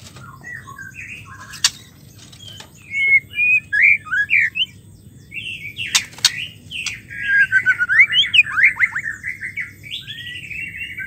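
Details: Female white-rumped shama calling, a sound used to coax silent or stressed males back into song. Quiet for the first two seconds, then a lively run of short whistled and slurred notes, some rising, with a few sharp clicks.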